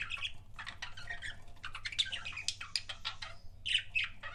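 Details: Budgerigar kissing sounds as a stream of quick clicks, ticks and buzzy chirps building in pace, ending in a pair of brighter squeaks; low background hum.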